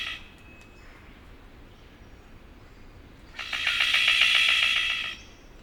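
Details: A male Golden bowerbird at his bower gives a harsh, rasping churr under two seconds long, made of rapid grating pulses, an advertising call likely meant to attract a female. A faint thin whistle comes just before it.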